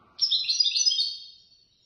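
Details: European goldfinch that won third place at a Casablanca bird-lovers' association contest, giving a single quick, high, liquid twittering phrase of about a second and a half that fades out at the end.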